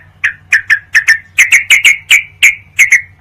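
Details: Sooty-headed bulbul used for night training of songbirds to make them fighters: a dozen clear, downslurred chirps, often paired, spaced roughly a third of a second apart, over a low steady hum.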